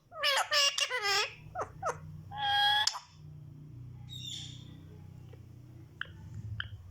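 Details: Rose-ringed parakeet talking in Urdu or Hindi: quick burst of high, nasal, word-like syllables, then a longer buzzy phrase, followed by quieter scattered squeaks over low room hum.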